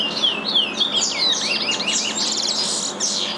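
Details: Two aviary-raised chestnut-bellied seed finches singing the regional Curitiba song learned from their father: a string of down-slurred whistles followed by dense buzzy warbled notes, loud and unbroken.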